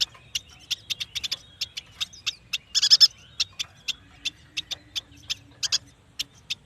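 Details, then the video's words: Yuhina, known locally as prenjak batu, in energetic song. A long run of short, high chirping notes comes every few tenths of a second, with a dense brief flurry near the middle. "Suara burung yuhina paling istimewah"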